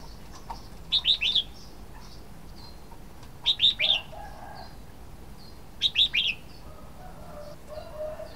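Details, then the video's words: Red-whiskered bulbul giving bright, bubbly three-note chirps, repeated about every two and a half seconds, with soft calls of other birds behind. "Red-whiskered bulbul sound"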